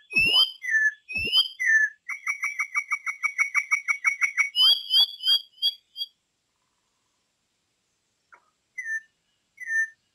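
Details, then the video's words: Campo troupial giving slurred whistles that break into a fast, even series of short repeated notes, about three per second, then fading to a few spaced whistles after a silence. "suara burung import campo troupial"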